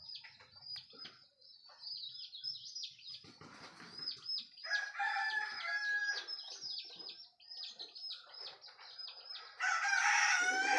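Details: Rooster crowing at dawn, announcing morning. A moderate crow sounds midway, and a second, louder crow starts near the end. Dense, rhythmic, high chirping continues throughout.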